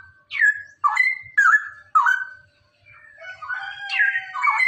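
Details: Male Straw-headed Bulbul, cucak rowo, giving its rapid ropelan song, played to prompt other bulbuls to sing: loud, rich whistled phrases that swoop down and level off, several in quick succession, then a lower warbling run.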